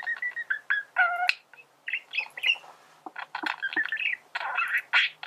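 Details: Male budgerigar warbling, used to teach birds to sing; varied chatter of whistled notes, buzzy trills and sharp clicks in quick succession.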